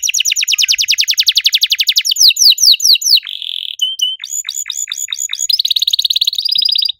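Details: Active canary in riwik style, singing cuit cuit with long shooting phrases: a fast high rattling trill, then swooping whistled notes and a buzzy tone, ending in quick repeated chips.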